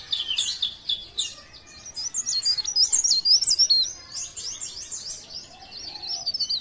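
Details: Blereng gacor song of a leaf warbler (cikrak daun), Parepare. High, thin, fast-twisting notes rise to a dense, loud stretch, then ease into lighter twittering.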